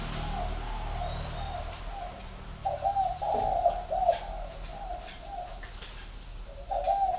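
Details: Spotted doves in a flock kept at a Ba Vì bird garden, Hanoi, Vietnam. After a quiet start comes a run of soft, low cooing notes and a final coo, all over a faint low hum.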